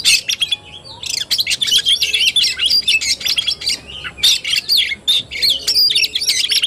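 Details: Oriental magpie-robin, kacer, singing in fighting style (tarung), recorded 17 August 2021: a dense, rapid run of varied high chirps, whistles and harsh notes, nearly continuous with brief pauses, clear and close with little background noise.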